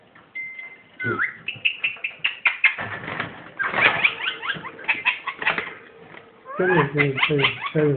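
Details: Caged pet ringneck parrot kept indoors, chattering rapidly: a short whistled note, then dense runs of scratchy, clicking syllables and swooping squeaks, ending in a burst of harsh laugh-like notes.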